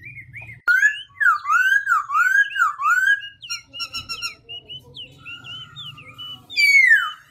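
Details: A black-throated laughingthrush sings with constantly shifting voice, a rapid run of looping whistled notes rising and falling, then clipped staccato chirps, ending in a long loud down-slurred whistle; low hum underneath.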